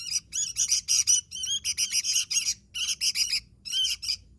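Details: Energetic singing from a Sooty-headed bulbul: clusters of quick, harsh twittering notes grouped into short bursts with small gaps between them.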